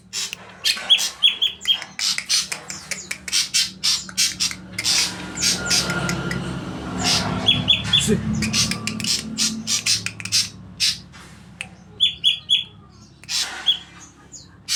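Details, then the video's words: Saeran abu style song from a greater green leafbird: clusters of sharp chattering notes and short bright whistles in irregular bursts, with a person's voice briefly in the middle and low background hum. "ijo big suara saeran abu"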